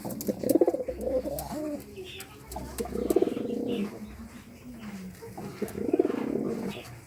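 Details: Courtship cooing from a pigeon: three deep, gurgling phrases spaced a few seconds apart, each rising and falling, with soft clicks and a low hum between.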